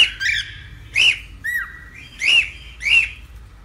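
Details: Cockatiel, a pet bird, heard in a recording meant to tame cockatiels: five loud arching chirps spaced about half a second apart, plus one lower downslurred whistle, over a quiet hum.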